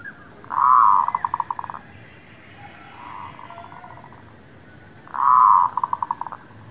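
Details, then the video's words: Local zebra dove singing a lure song used to attract birds for trapping and to train new birds: a drawn-out, rolling coo breaking into rapid staccato notes, given twice about four seconds apart, with a softer phrase between and faint high pulsing in the background. "SUARA PANCINGAN MERBUK KAMPUNG / PERKUTUT LOKAL...UNTUK PIKAT DAN BURUNG BARU"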